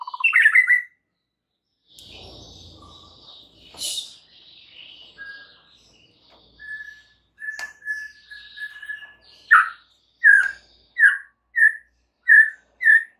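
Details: White-rumped shama song used to provoke other shamas: scattered whistles and buzzy notes, then a run of six loud, short, downward-slurred whistles repeated about every half second.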